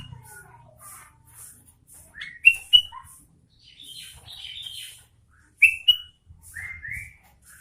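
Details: Sooty-headed bulbul in vigorous song: scattered short whistled notes, several sharply rising slurs and clear upslurred phrases, separated by pauses, over regular soft high hissing bursts in the background.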